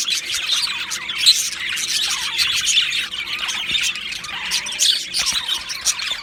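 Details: Two male Australian budgerigars chirping: a dense, continuous high chatter of squeaky warbles and short sharp chirps, overlapping without pause, with brief louder squawks near the start and middle.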